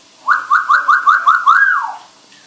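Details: African grey parrot named Pepito speaking Spanish, rapidly repeating "besito" in a rhythmic run of clear, mid-pitched voiced syllables, ending on a longer falling note.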